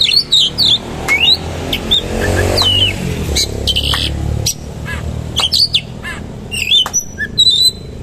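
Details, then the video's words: Oriental magpie-robin delivering a coarse 'roll tembak' song with rich fill: upslurred whistles, sharp clicks and chattering notes, broken by a brief pause. A low rumble like passing traffic runs beneath. "KACER GACOR MATERI KASAR ROLL TEMBAK ISIAN MEWAH"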